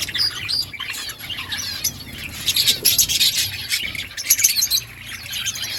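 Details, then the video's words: Busy outdoor budgerigar colony, layered squeaky warbles and short rising and falling chirps from many birds at once, growing louder in the middle, with faint low background rumble. "Parakeet sounds in outdoor colony Budgies chirping sounds"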